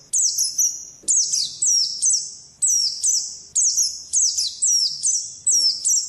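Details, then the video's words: Oriental white-eye with 'ngalas' wild-style song: high, sweeping, falling chirps in pairs and short runs, echoing between bursts, over a quiet background. "Suara Burung Pleci Ngalas Burung Kacamata"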